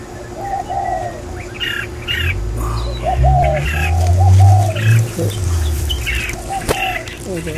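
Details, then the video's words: Red-whiskered bulbul giving short, bubbly, arched whistled phrases repeated every second or so, with higher chirps and a steady low rumble of background noise. "Red Whisker Bulbul"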